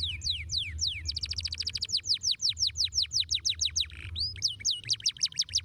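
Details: Canary song played to a young canary so it learns to roll quickly: rapid runs of high, sharply downslurred notes, briefly broken by a couple of rising-falling whistles, over a steady low hum.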